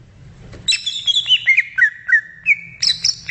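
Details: A short, rich phrase from a greater green leafbird in the wild: high whistled notes dropping step by step, then a bright rising flourish at the end.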